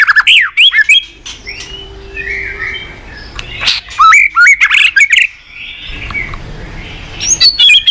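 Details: White-rumped shama song used as a training recording for young shamas: loud varied phrases of clear whistles, rising and falling sweeps and sharp chirps, with buzzy notes and brief pauses between bursts.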